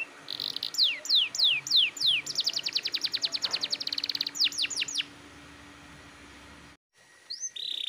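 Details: Canary singing in nonstop 'gacor ngotot' manner as a lure for untrained canaries: slurred downward whistles followed by an accelerating, rapidly repeated trill of sharp notes, then a pause and a brief closing phrase.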